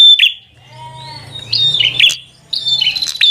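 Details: Bar-winged prinia singing fighter-style to challenge a rival: a few spaced phrases of high, slightly falling whistled chirps with sharp clicks, and a low hum underneath.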